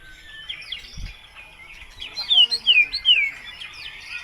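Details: Lure song of a white-rumped shama containing other birds' phrases, meant to draw replies: soft warbling background, then three loud clear whistles sliding downward, about one every half second.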